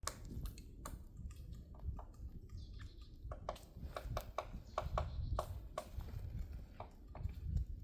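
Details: Woodpecker pecking at a tree on Namsan, Chungju, on 7 February 2026: irregular sharp dry taps, singly and in loose clusters, about fifteen over eight seconds, fairly quiet against a steady low rumble of wind or distant traffic.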